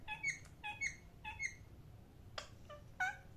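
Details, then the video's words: Parrot chirping, three bright two-note chirps in quick succession about every half second, then a pause and a few sharper, rougher notes, with a faint background hum. "parrot chirping sound"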